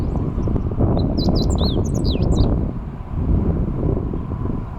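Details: Meadow bunting singing on a riverbank levee on 29 May 2021, heard while cycling: one rapid phrase of high, sharp chirps and slurred whistled notes lasting over a second, over a strong low rumble of wind and movement.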